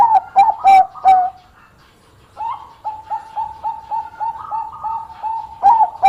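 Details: Singing Bangkok zebra dove, praised for enticing rival birds to sing back. Four loud, clipped coos open the clip. After a short silence comes a rhythmic series of soft, evenly spaced purring notes, and loud coos resume at the end.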